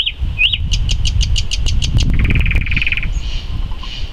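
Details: Common nightingale singing in May 2014: a rising whistled slur, then a fast series of sharp repeated notes about five per second, changing to a lower rapid trill, with steady low rumble throughout.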